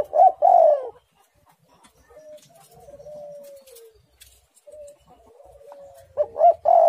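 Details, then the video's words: Spotted dove song: strong, throaty coos at the start and end framing a long, quiet, drawn-out level coo in between, the loud notes slurring downward in a close run. "tekukur super gacor suara menekan rapat"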